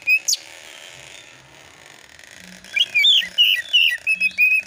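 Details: Oriental magpie-robin lure song with rapid fill notes, meant to provoke replies: mostly steady hiss at first, then a short run of quick whistled notes and slurs in the last two seconds.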